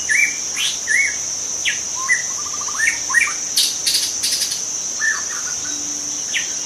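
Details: Varied song of a wild white-rumped shama from the forest: short whistles, sweeping slurs and a fast stuttering trill, interspersed with brief broadband clicks, with a continuous high insect drone behind.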